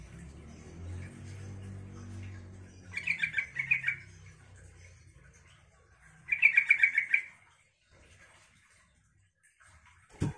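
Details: Yellow-vented bulbul song for provoking other bulbuls to respond: two short chattering bursts, then a denser bubbling phrase, over low rumbling noise, ending with a sharp click.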